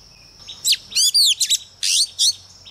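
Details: Lure female Oriental magpie-robin singing to provoke males, a lively phrase of rising and falling whistles and sharp chirps in quick groups, over a steady high-pitched hum.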